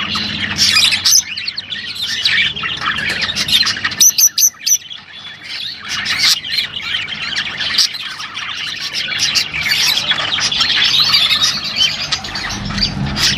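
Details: Rosy-faced and Fischer's lovebirds twittering to stimulate mating; continuous dense chirping and squeaking with a few clipped clicking notes, plus a faint low rumble at the start and end.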